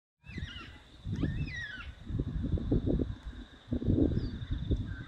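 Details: Yellow-tailed black cockatoos of subspecies Zanda funerea xanthanotus give two or three drawn-out, wailing, falling calls early on, over heavy low wind rumble and a steady high insect drone.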